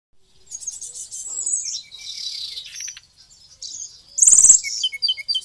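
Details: White-rumped shama from Bali singing energetically with a song full of fill-in phrases. The song is a dense run of high buzzy, chattering notes and short whistles, ending in a loud, sharp rattling burst.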